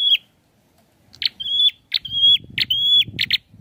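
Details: Rapid prinia song: click-and-whistle phrases come nearly every half second, ending in a double click, over a low rumbling background noise.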